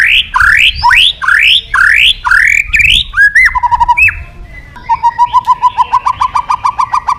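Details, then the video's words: White-rumped shama in song to call a rival: five loud rising slurred whistles about every half second, a short chattering break, then a steady run of rapid, even repeated notes. "Suara Burung Murai Batu Gacor Memanggil Lawan"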